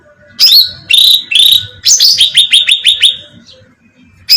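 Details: Bulbul bait recording, cucak ranting style, meant to draw birds in: three drawn-out shrill whistled notes, then a quick run of about seven sharp falling chirps, ending abruptly.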